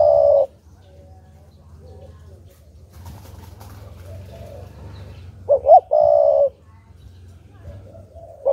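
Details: {'caption': 'Spotted dove kept as a decoy, cooing to stir wild doves into answering. A flat coo is followed by a faint low rumble and murmur, then a wavering note and another long coo.'}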